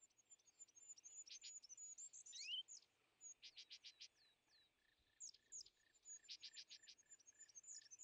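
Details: European greenfinch at winter feeders, where it drives off tits, sparrows and even nuthatches: faint bursts of short clicking calls, upward-sweeping whistled notes and scattered high chirps, over steady background hiss.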